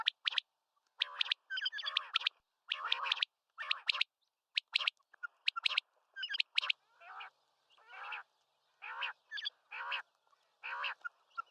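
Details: Common quail calling in a long series: short sharp clicks and clipped notes alternating with nasal, buzzy, wheezy notes, delivered in irregular bursts over quiet silence.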